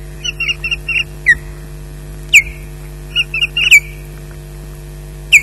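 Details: At the RSPB Loch Garten nest during a 13:34 fish delivery, an osprey gives short piercing whistled chirps, some in quick clusters and some alone with downslurred ends, spaced irregularly over a steady electrical hum.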